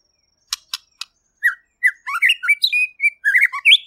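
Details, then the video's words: Murai pastor white-rumped shama, described as lively and clear, gives three sharp clicks, then a rapid run of sweet whistled notes that jump up and down in pitch. "MURAI PASTOR | GACOR DAN JERNIH"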